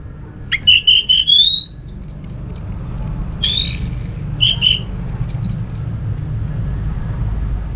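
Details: Orange-headed thrush song used as playback to prompt other thrushes to sing: clear high whistles, some rising and held, others sweeping down, with short stuttered notes between, over a low rumbling background.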